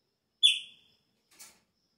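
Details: Chopi blackbird at the start of the breeding season: one strong, clear whistled note that slurs downward and trails off, followed by a brief faint scratchy sound.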